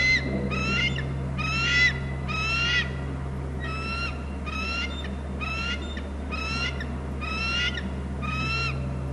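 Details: Bald eagle on a Hornby Island nest camera, screeching as another eagle comes in. The piping notes repeat roughly once a second, loud at first and then steadier and softer, over a persistent low mechanical hum.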